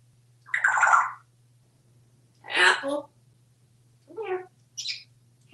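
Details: A very talkative parrot indoors acting as a waiter while being offered treats such as grapes, cookies and corn; short speech-like phrases with breathy, harmonic bursts come in four or five separate utterances over a low steady hum.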